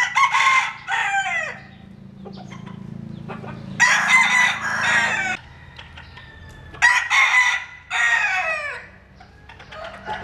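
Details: Jap Cuban bantam roosters sunbathing in rural southern Vietnam crow loudly and harshly in repeated bursts about every three seconds, each crow strained and drawn out, over a constant low hum with soft clucking between.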